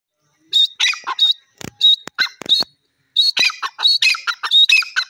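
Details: Grey francolin, a kept bird, calling in loud bursts of harsh, squawking notes with sharp whistled peaks, short phrases repeated in two groups separated by a brief pause.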